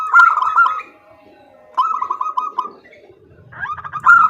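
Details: Calling female zebra dove, the sound aimed at attracting the male: three short bursts of quick, rolling coo notes with quiet gaps between them.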